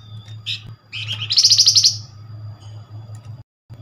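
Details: Flamboyan lure call meant to get a fast answer from other Flamboyan: a couple of short high notes lead into a fast rattling buzzy trill of quick pulses lasting about half a second, over a low background hum.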